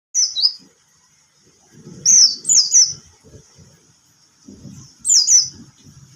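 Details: Singing bird disturbed by a cat: short bursts of sharp, high, downslurred whistled notes at the start, around two seconds and near five seconds, with low muffled rumbling and knocking between phrases.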